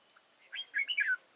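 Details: Red-whiskered bulbul kept as a decoy for trapping at Chùa Hương, Vietnam, 31 March 2018: one brief cheerful phrase of liquid, slurred whistles, rising then dropping in quick succession.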